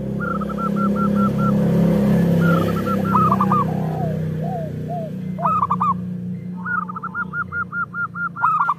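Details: Local zebra doves singing as a lure for other doves: strings of short repeated hoots, soft arched coos and quick stuttering bursts. Strong low rumbling background noise fades partway through.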